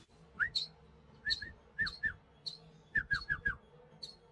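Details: Pet parrot at home, seemingly ignoring its owner after eating, giving short, sharp, upward-flicking chirps in quick pairs and clusters, about ten over four seconds, against a faint low indoor hum.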